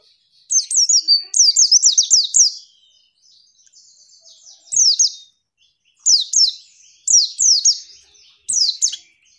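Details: Female white-eye calling to provoke male birds into answering: bursts of sharp, high, downslurred chirps in quick runs of four to six, with pauses of about a second between groups.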